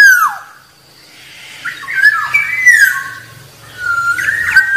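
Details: Black-naped oriole opening with a loud downward-slurred whistle, then after a lull a string of mellow rising and falling whistles, ending on a steady fluty note, with a faint low hum underneath.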